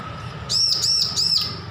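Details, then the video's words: Recently weaned bar-winged prinia practising its song with three clear, high, arched whistled notes in a quick row, each rising and dipping, over a low steady hum. "Ciblek lepas loloh belajar bunyi full masteran"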